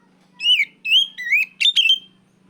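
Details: Oriental magpie-robin (kacer) giving loud ngeplong cries to call out a rival: a series of bright, sliding whistled notes, some rising and some wavering, in short bursts over a faint low steady hum.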